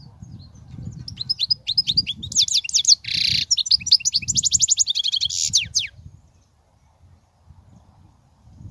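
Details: European goldfinch song to teach young goldfinches: tinkling twitter building into a harsh buzzy note, then a rapid even trill of repeated notes, ending in a few sharp slurs before silence.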